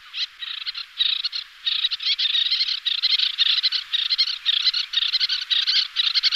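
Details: Dense, unbroken chattering from two displaying pairs of little terns in flight. High, rasping notes run together in fast rattling bursts with only brief pauses.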